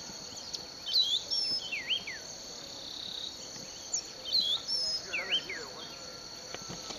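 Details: Unknown songbird in a Western Kenya sugarcane field at Bulechia, December 2011. Two bursts of bright, slurred whistles, each a quick rising-falling cluster, with a constant high-pitched cricket-like hum behind.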